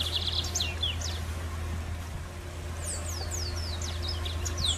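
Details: Free-living lined seedeater with an unusual song variant: bursts of high, rapid downslurred notes and a short buzzy trill, separated by a pause of about two seconds, over a constant low hum.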